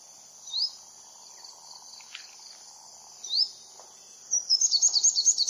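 Olive-backed sunbird giving two thin, rising high notes, then a quick run of sharp, high chips. A steady insect drone hums underneath.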